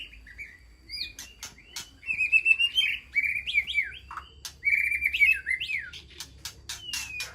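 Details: Aviary-kept white-rumped shama calling to the flock with melodious whistled phrases, warbled slides and downward swoops, broken by sharp clicking ticks in a quiet setting.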